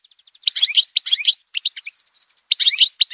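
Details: Algerian goldfinch, parva subspecies, montage recording: soft ticking notes lead into short harsh, chattering twitter bursts about half a second long, with quiet chirps between them.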